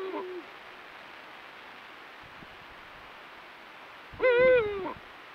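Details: Eurasian eagle-owl pair bonding on full-moon nights. The end of a low hoot is followed by a quiet gap, then a harsher, higher, harmonic-rich call lasting about three quarters of a second.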